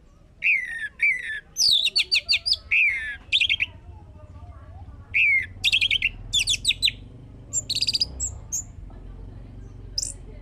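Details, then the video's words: Lure recording of orange-headed thrush song to make a bird sing: varied, fast phrases of high whistles, down-slurred notes and rattling chirp series, separated by brief pauses, with faint low background rumble. "Pancingan anis merah biar bunyi"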